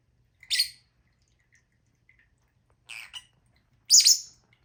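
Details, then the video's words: Three separate harsh, high lovebird squawks, each brief and raspy, spaced about a second or more apart in a quiet setting. "Lovebirds sound"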